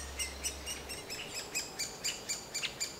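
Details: A great spotted woodpecker nestling calls constantly from its nest cavity in spring, around 30°C, while the parents feed it, heard from 10–15 m. Short, high, harsh begging notes come about four a second in a steady chatter.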